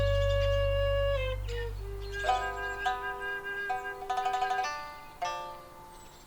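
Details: Plucked string music with twangy zither-like notes, sliding tones and quick repeated runs; no animal is heard.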